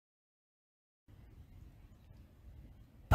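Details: Near silence for a second, then a faint low rumble, ending in a sudden loud broadband burst with no animal voice.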